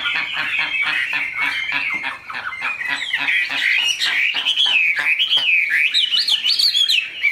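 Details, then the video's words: Caged tame Chinese hwamei in continuous energetic song, a dense stream of wavering whistles and chattering notes rising higher near the end, accompanied by quick regular clicks. "Mi họa thuần, bộ to, chất giọng cực hay"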